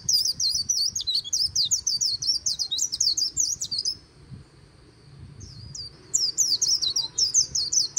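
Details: White-eye singing in the líu style beside the Kỳ Cùng river: rapid, high, twittering phrases of slurred chirps for about four seconds, a quiet pause, then the lively high twitter resumes.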